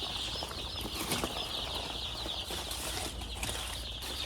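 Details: Chicks packed together in a box on a poultry farm, huddling against the cold; a dense chorus of high, short peeps overlaps continuously with no pauses, over a steady low hum.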